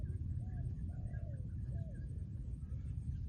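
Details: Three soft, low, arching coos from a trained spotted dove kept as a decoy, spread over a few seconds above a heavy low rumble of outdoor noise.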